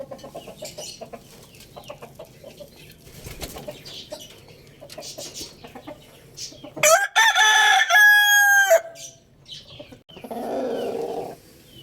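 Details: Rooster crowing loudly amid farmyard background noise: soft scattered sounds for several seconds, then a harsh, broken start leading into a long, strong harmonic crow, followed by lower, rough clucking.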